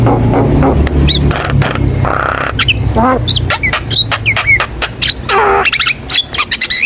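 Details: Javan myna lure song for young birds: chattering clicks, short whistles and buzzy notes over a low droning hum.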